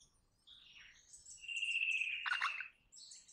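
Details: Crimson rosella giving a sustained, even whistle that holds steady for about a second, ending in a brief harsh burst, with faint chirps of other small birds and low background rumble.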